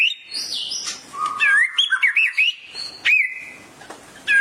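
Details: Murai excited by a tutor recording, singing clear looping whistles: a high sliding note, a low steady tone, then a wavering run and a rising slur before a short pause.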